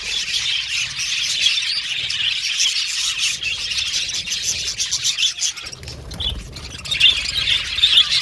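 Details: Budgerigars twittering in a dense chorus of high scratchy chirps and warbles; the chatter thins and softens briefly after the midpoint, then a few sharper squeaks resume toward the end.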